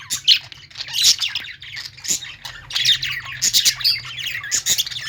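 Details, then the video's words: Budgies singing in a pet store where lovebirds are also kept: quick, irregular chirps and scratchy warbles from several birds, roughly seventy-five bursts a minute, densest toward the end. "budgies singing | parakeet chirping sounds in pet store"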